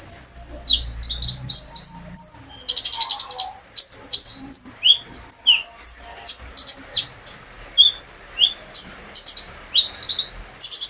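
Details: Olive-backed sunbird kept as a pet, singing to prompt other birds to answer: a steady run of thin, high, sharply rising and falling chirps about twice a second, with brief buzzy bursts between them.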